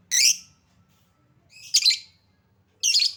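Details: Lovebird sound played as a lure to make lovebirds sing: three loud, harsh, buzzy high squawks, each about half a second long, separated by quiet gaps of over a second.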